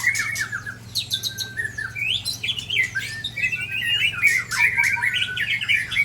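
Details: White-rumped shama from Sabang, Aceh, Indonesia, under attack by shamas from Ujong Pancu and Tangse; a dense run of varied chirps, slurred whistles and harsh squawky notes, several birds overlapping with a steady low hum beneath.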